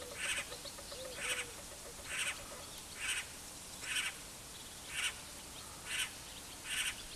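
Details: Great spotted cuckoo giving harsh, grating, noisy calls, about eight bursts spaced roughly one second apart in a steady series. Faint, thin, lower whistled notes are heard near the start.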